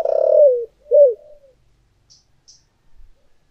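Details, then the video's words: Spotted dove decoy in thổ voice: the tail of a long throbbing coo sliding downward, then one short hoot, followed by near silence. "cu gáy giọng thổ đặc Mp3/ Tiếng Chim Cu Mồi Giọng Thổ Đặc Sắc"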